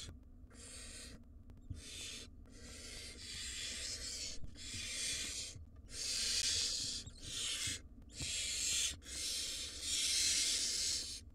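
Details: Noisy brood of five wild barn owl chicks in a nest box begging for food from the parents; rough hissing snores follow one another steadily, growing longer and louder toward the end, with soft scratching underneath.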